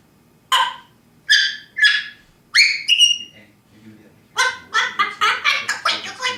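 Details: Parrot giving several separate harmonic squawks, some rising sharply, then a fast run of about eight clipped, nasal calls with faint low background sounds.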